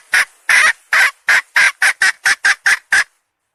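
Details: Loud, clipped hen clucks, eleven in quick succession, each a short harsh squawk, the first few slightly longer and the rhythm quickening toward the end, in a quiet setting.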